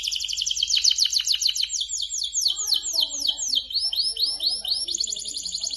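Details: Canary in vigorous song for coaxing other canaries to sing, pouring out fast repeated high sweeping notes and rolling trills with softer low warbles mixed in.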